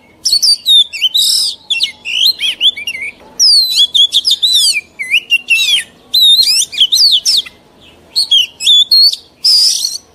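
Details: Song of a mature wild-caught Oriental magpie-robin, recorded for training young birds: a rich, fast run of twisting whistles, trills and buzzy high notes in phrases of about a second, with short gaps between them.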